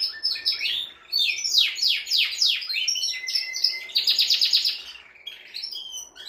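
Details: Male canary song to stimulate a female for breeding: a run of fast down-slurred notes, then quick repeated sweeps, a thin level whistle and a dense rolling trill, ending in softer twitters.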